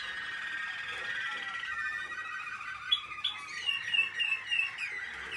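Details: American Singer canary in training, 2021, singing a steady warble that grows into a run of fast, bright repeated notes and rolling trills in the second half.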